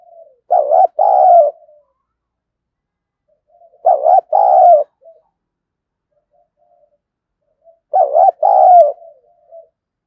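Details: Spotted dove used as a decoy, calling in its full repertoire: three loud two-part coos about four seconds apart. Each has a short, broken first note and a longer, rolling second note, and faint soft murmurs follow.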